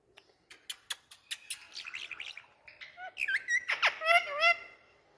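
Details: Rose-ringed parakeet, the Indian parrot, talking: a run of sharp clicks and chattering syllables, then harmonic, wavering voice-like notes that bend up and down in quick speech-like phrases.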